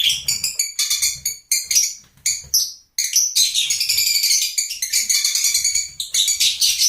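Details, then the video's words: Lovebird chatter made of many quick shrill chirps and rasping squeals, pulsing unevenly with one brief pause near the middle. "Love Birds Nature Sound"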